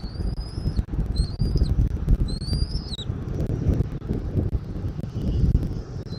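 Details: Eagle at a nest in Southwest Florida, 13 January 2024 at 14:17, recorded by a nest camera: thin, high whistled notes, slightly rising then dropping, in short bursts over steady low wind rumble.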